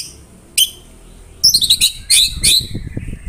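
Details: White-rumped shama (murai batu) in 'tembakan rapat' style: a single sharp high note, a pause, then a cluster of quick, ringing high notes over a faint low background rumble.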